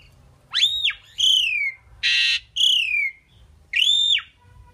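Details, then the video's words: A talking Indian pied myna repeats loud arched whistles that rise steeply and then slide downward, four of them, with one harsh noisy burst in the middle; quiet background between notes. "Amazing Talking Indian Pied Mynah Bird"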